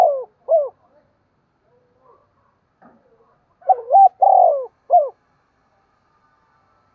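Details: Decoy spotted dove calling in the morning to stir up wild doves; low hollow coos in short broken phrases, one near the start and a fuller three-part run midway, with quiet gaps between.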